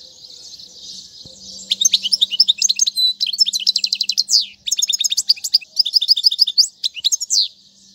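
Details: Goldfinch singing for the instruction of fledglings: after a quiet hum, a fast run of tinkling, twittering phrases and dry trills starts near two seconds and continues almost unbroken, with a faint low hum behind.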